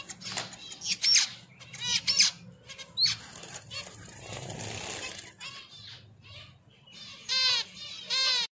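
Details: During mating, finches utter high chirps in scattered bursts with a noisy rustling stretch midway, then two short, clear chirping flurries near the end; a low background hum runs throughout.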